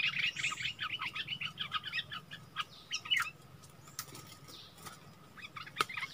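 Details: Bulbul used as a decoy, sparring with a wild bird on 27 March 2021: a quick run of bright chattering notes at the start, then scattered chirps over steady background hiss and a low hum.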